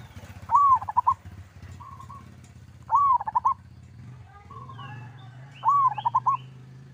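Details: Local zebra dove singing the lively 'kerot' style, played to prompt other doves to answer at once: three phrases about every two and a half seconds, each a rising arched coo then rapid stuttering coos, soft single notes between, low rumble behind.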